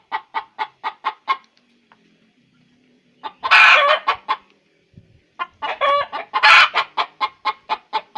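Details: Egg-laying hen calling: a steady series of short rhythmic clucks breaks into two loud, raspy extended squawks, then more clucking.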